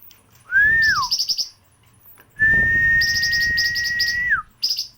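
Long, steady whistled notes that drop sharply at the end, alternating with quick high twittering chip series. A man's voice is faintly heard.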